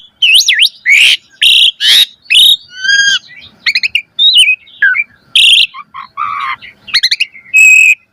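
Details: Jalak suren, Asian pied starling, in a gacor training song with rich variation: looping whistles and harsh rasping bursts, a layered buzzy note near three seconds, then scattered slurred whistles and a final sustained buzzy tone.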